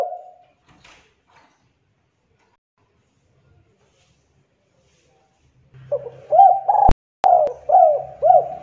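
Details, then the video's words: Spotted dove singing vigorously as a lure. Mostly near-silent at first, then a run of low, husky, rolling coos near the end, broken by two sharp clicks over a faint low hum. "PANCINGAN BURUNG TEKUKUR GACOR"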